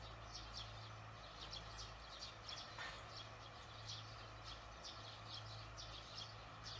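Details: Evening barn swallow calls, 18 June 2020: a faint, even stream of short high chirps, with a single slightly lower note near the middle, over a persistent low hum.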